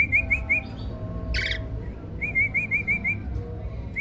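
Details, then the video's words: Champion starling, recorded as a master for contest songbirds: soft repeated whistled notes in short runs, a single brief harsh burst in the middle, and a steady low background murmur. "MASTERAN BURUNG JALAK SANG JUARA!!"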